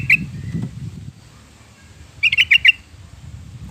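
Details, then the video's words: Yellow-vented bulbul, used as a lure for pet birds: a single sharp chirp, then a pause, then a rapid rollicking run of five bright notes, with low rumble early on. "kicau burung trucukan"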